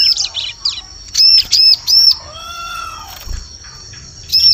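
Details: Bar-winged prinia lure sound for forest use: scratchy chirps, then three loud high arched notes, a lower drawn-out whistled tone, and a final chirp near the end.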